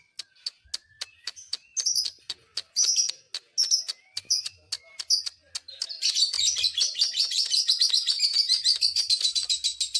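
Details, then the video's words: Lovebird calling to provoke rival lovebirds: spaced sharp ticking chirps mixed with buzzy bursts, then after about six seconds a dense, continuous, high, harsh chattering trill that keeps going to the end. "dijamin burung Lovebird lain emosi"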